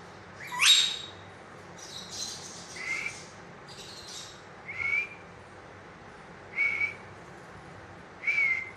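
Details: Green ring-necked parakeet described as speaking: a harsh broadband squawk sweeping upward near the start, then a string of short thin whistled notes, each separated by a second or more of quiet background hiss.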